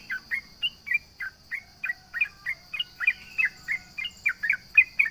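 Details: Sooty-headed bulbul singing full out to provoke opponents: a steady chain of short, liquid, chirpy notes, roughly three per second, slightly varied in pitch. A high, even insect drone plays behind.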